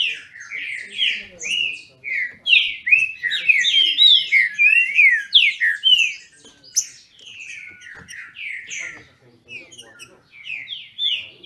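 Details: Captive green-winged saltators in Brazil dueling in song: rich, loud whistled phrases with sliding, rising and falling notes, delivered rapidly and overlapping, with a brief pause before the singing resumes.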